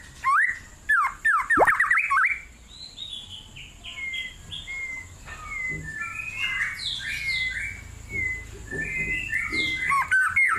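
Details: Singing continuously in a cool forest, a White-rumped shama opens with loud, sharp whistled notes and chattering bursts, then moves into softer, varied fluting phrases that slide up and down.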